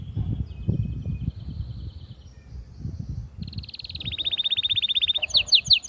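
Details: Atlantic canary song for exciting females to mate. It begins as a faint high trill over background noise, then grows into a loud rapid rolling trill and ends with sharp chirps.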